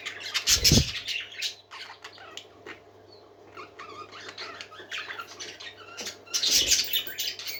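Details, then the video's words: Caged parakeets warbling and chirping, with two loud bursts of rustling or wing flapping at the start and near the end, and quieter scratchy twitters in between over a low hum. "Happy Parakeets Singing"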